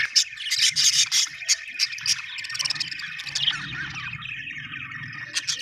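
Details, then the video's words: Australian budgerigar chirping in a lively stream of sharp clicks, squeaky notes and buzzy warbles, about three per second, over a soft low hum. "budgie chirping sound"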